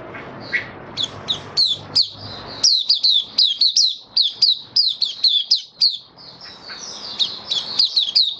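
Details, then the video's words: White-eye, a kept bird recorded 18 May 2022 after a deworm treatment and supplements, delivers a long string of high, quick, twittering notes. Low background rumble fades out partway through. "Mata Puteh Kitaro buka sing"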